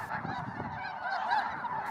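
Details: About 8,000 Snow and Ross's Geese on the first day of a 2024 birding big year: a dense roar of overlapping honks, with nasal yelps blending into a continuous, clamoring wall of sound.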